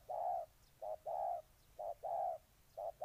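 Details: Short-long coo phrases of a spotted dove from Ninh Thuận, a quick note followed by a fuller mellow one, repeated about once a second in a quiet setting.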